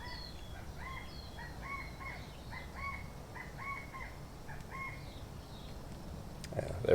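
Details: A California quail calls in the background outdoors, where they are said to be everywhere at the moment, possibly introduced as game birds: a quick run of short, arched notes, several a second for about five seconds, over low rumble and a faint voice.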